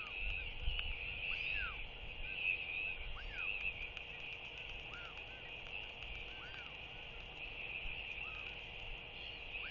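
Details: Northern royal albatross chick at its nest in early morning fog, begging while fed by a parent; a series of faint arched whistled wheeing notes, roughly one per second, over a constant hiss.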